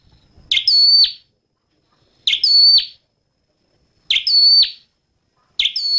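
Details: Clean, high-pitched song of a red-headed flowerpecker. A short thin phrase with a sharp start and a steady whistled middle repeats four times at roughly two-second gaps, with silence between.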